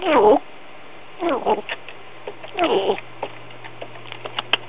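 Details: Young female pet African grey parrot, about a year and a bit old, chattering indoors: three swooping, speech-like harmonic phrases with quieter clicks and short chirps between them over a steady low hum.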